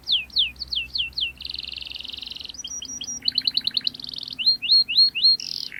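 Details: Gacor canary with sharp rolling song, used as a lure for young birds learning to sing: descending whistled slurs, a dense buzzy roll, clipped double notes, then rising whistles and a final harsh burst.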